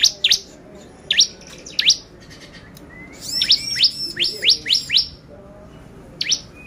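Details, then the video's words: Clear bar-winged prinia lure song meant to excite other birds. Sharp downward-slurred chirps come singly, then a fast series of about six rapid sweeping notes, then a final chirp, against a quiet background. "PANCINGAN CIBLEK GACOR bikin burung ciblek EMOSI !!"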